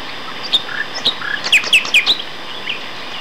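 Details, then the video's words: Male Common Nightingale singing in a duet of two males, Castor Hanglands near Peterborough, May 2012: scattered soft whistled notes, then a loud burst of rich, abrupt phrases, fading to quieter calls against constant hiss. "Nightingale Duet"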